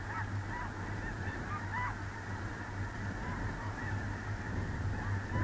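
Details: Snow geese in a large flock on a small central North Dakota lake, early November 2021; distinct rising-falling nasal honks stand out above a steady murmur of many birds and a low rumble.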